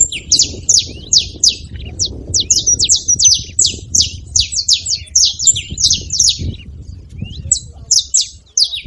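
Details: Free saffron finches at a seva making noise: almost unbroken, rapid, high-pitched chipping and slurred chirps from many birds, thinning slightly at the end, with low rumble underneath.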